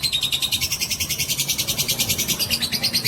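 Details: Fighter-type lovebird in long-duration ngekek song, a bait sound to provoke other lovebirds; shrill, buzzy pulses repeat quickly and steadily, several each second, with a thin whistled tone threading through the rattle.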